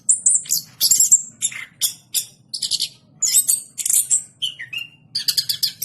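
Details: Orange-headed thrush pouring out a varied, high song of squeaky whistles and rasping bursts, with two lower sliding whistles near the end and a fast trilled flourish to close.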